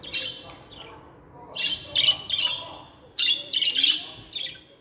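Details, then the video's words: Loud, raspy budgerigar squawks from pet birds, delivered in three clustered bursts of grating, buzzy notes with short pauses between. "KONUŞAN MUHABBET KUŞLARI ÖTME SESİ"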